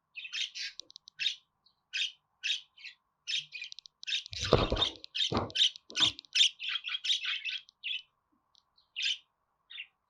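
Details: Budgerigar, played to pet budgies to encourage singing and talking, giving a busy chatter of short buzzy, scratchy chirps repeated irregularly, with a few low thumps in the middle.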